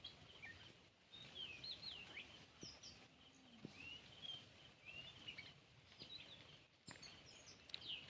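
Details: Sparse, faint whistled and slurred notes from an Oriental magpie-robin singing in a fresh tune after a cat leaves its vicinity, with scattered clicks and a soft outdoor background.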